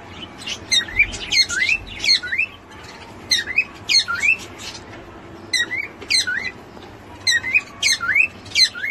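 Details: A pet cockatiel says its own name for the first time, repeating short, chirpy, speech-like phrases.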